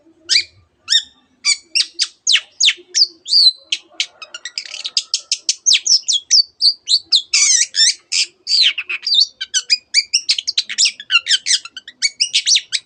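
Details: Long-tailed shrike delivering a fast, packed mimicry song with canary-like trills: steady run of sharp, high chips and whistled notes, accelerating into near-continuous twittering with rising and falling slurs.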